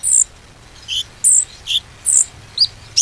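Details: Konin song used as a lure (pancingan) to get a stalled konin singing again: sharp, high chirps and short whistled notes in separate bursts, about two or three a second, uneven in pitch and spacing, over a faint low hum.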